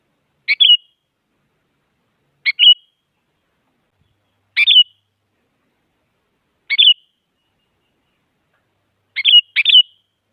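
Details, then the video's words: Sooty-headed bulbul, female calling male, played to stir silent birds: five brisk phrases roughly every two seconds, each a grating start and a bright falling whistle, the last phrase doubled; quiet background. "Suara Burung Kutilang Penyemangat Kutilang Malas Agar Bunyi Jadikan Kutilang Diam Gacor Emosi"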